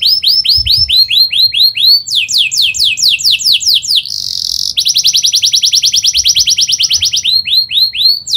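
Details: Canary singing in a fast, dense roll: series of rapid rising whistled arcs repeated several per second, switching to a steeper faster phrase, a brief buzzy trill, then a tight rapid rattle of notes, with a faint low background hum.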